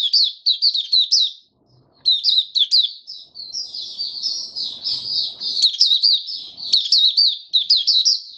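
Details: White-eye kept in a cage, warming into its song: rapid high twittering bursts broken by a brief pause, then a long continuous run of slurred chirps, with a soft background murmur.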